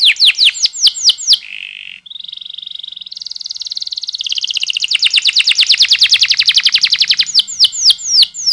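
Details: Canary lure song in rolling style for young birds: slurred whistles, a low buzzy roll, then a long accelerating trill of sweeping notes, and whistles again at the end.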